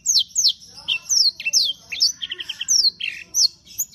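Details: Singing canary (kenari) delivering rapid high whistled sweeps, then a brief stuttering run of five short repeated notes and more chirps; faint low hum behind.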